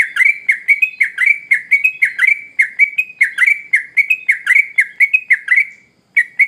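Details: Long, lively song of a Sooty-headed bulbul: steady streams of quick, bright chirps repeated several times a second, with one brief pause before the notes resume.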